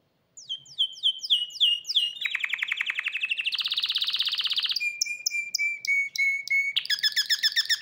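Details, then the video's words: A hybrid canary sings fast tours: a run of downslurred whistles, then rapid buzzy rolls, a higher trill, a steady whistled note series and a harsh closing trill. "تغريد هجين كماتشو"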